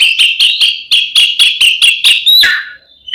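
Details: Oriental magpie-robin (kacer) in energetic ngeplong fighting song, used as a lure to provoke other magpie-robins: a rapid string of about ten clipped, even-pitched notes, roughly four per second, ending in a rising whistle and a harsh note.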